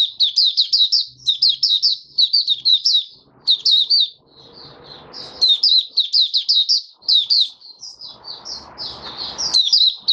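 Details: 'Buka sing' of an oriental white-eye in a cage, recorded January 2022 five days after its monthly deworming: dense, rapid high chirping phrases, some softer gaps, and two bursts of low rustling or scratching noise.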